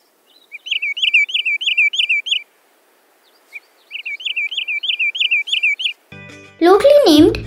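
Wood Sandpiper giving two rapid runs of high, sharp, whistled notes, about eight quick chips per run, followed by a person starting to speak.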